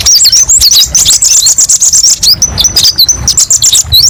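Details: Kolibri ninja sunbird, masteran with varied 'tembakan' shots: rapid high chips and twangy upslurs, then a run of short flat piping notes repeated several times each second.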